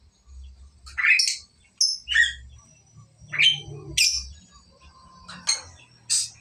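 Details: Lovebird practising the long ngekek trill, here broken into short scratchy, rising and falling chirps spaced about half a second to a second apart, with faint low rumble underneath.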